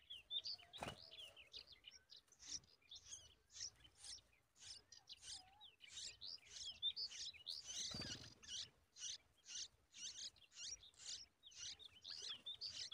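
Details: Yellow-tailed bulbul feeding a large spider to its young; continuous high chirps and squeaks, nearly two per second, with some thin rising whistles mixed in and a couple of brief thumps.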